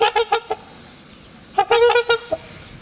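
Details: Trumpeter swan pair trumpeting as part of courtship, renewing the pair bond each spring, with the very loud calls also marking territory; two quick runs of brassy, nasal honks separated by a short pause.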